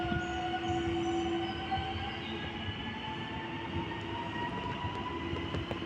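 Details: A passing train with screeching, squealing wheels and a steady rumble of rail cars.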